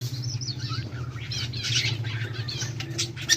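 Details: Budgerigars heard on 18 July 2023, giving busy high chirps and warbling notes over a steady low hum, with soft rustling throughout.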